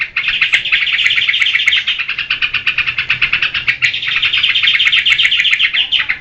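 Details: Yellow-vented bulbul in lively, vigorous song, used as a lure and tutor for cage birds: dense, rapid chattering notes packed into a continuous bubbling stream, briefly pausing near the fourth second before resuming.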